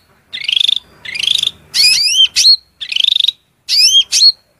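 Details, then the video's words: Cucak rante, a cage-bird master recording, giving shrill song phrases: buzzy rattled bursts alternating with ringing whistled slurs, in clusters separated by short silences. "MASTERAN SUARA MELENGKING CUCAK RANTE GACOR"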